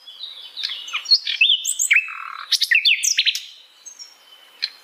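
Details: Natural-habitat recording of an Asian brown flycatcher: a short burst of high, sweet slurred notes and crisp chirps in a quick jumbled phrase, trailing off into sparse faint notes.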